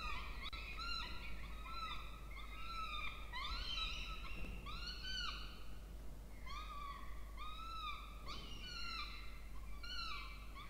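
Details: Begging by two peregrine falcon chicks at their nest box in a water tower, Charles Sturt University, Orange, Australia, while a parent feeds them, 20 October 2024; continuous run of shrill arched harmonic cries, several overlapping.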